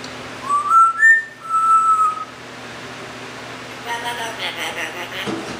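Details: Captive male Timneh African grey parrot, rescued and living in a home, whistles a short phrase of three pure notes, the second highest, then a long level tone, followed by quiet indoor background and soft chatter.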